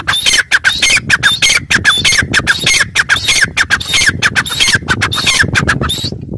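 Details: Grey francolin (Francolinus pondicerianus) in an open area gives loud, harsh, ringing squawks in rapid repeated bursts, nearly continuous with brief gaps, over low background rumble.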